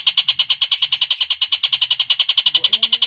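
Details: Javan cochoa song for training competition birds: a quick chain of sharp, high notes at even pitch, with soft low murmuring and a faint lower sliding tone near the end.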